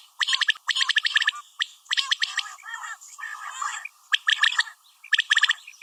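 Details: Calling of a female common quail: dense bursts of sharp clicky notes in quick runs, with gaps filled by softer, rougher chattering.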